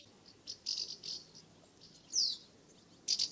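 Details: Common house martins calling as they fly around their nest site in the UK in summer: short, high, dry chirps and twittering bursts, scattered irregularly with two louder sharp notes near the end over a quiet background.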